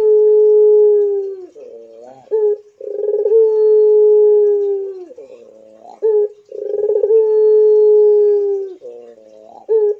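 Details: Puter pelung Barbary dove cooing persistently: long, steady, low hooting notes about two seconds each, each opened by a rolling burr and followed by short wavering tones, repeated roughly every three seconds.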